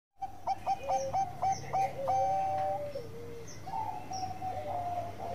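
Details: Zebra dove of the Bangkok strain singing vigorously with a long voice: a run of short clipped low cooing notes, then a held tone that steps down into a falling coo and a fresh phrase begins. Faint higher chirps and a low hum sit behind it.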